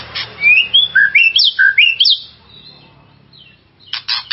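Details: White-rumped shama song used to raise another shama's excitement: a run of loud sweeping whistled phrases rising and falling for two seconds, a quiet gap, then harsh rasping bursts at the end.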